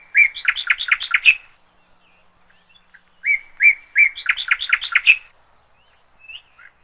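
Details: Bird singing two quick bursts of bright, rapidly repeated chirps, each burst about a second long and separated by a short pause, then a faint brief note, in otherwise quiet surroundings.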